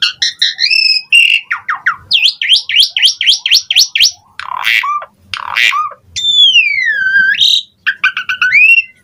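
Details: Lure recording of an Asian pied starling to rouse silent birds: fast rolling whistles, a string of swooping up-slurred notes, rasping bursts and a long, smoothly dipping whistle.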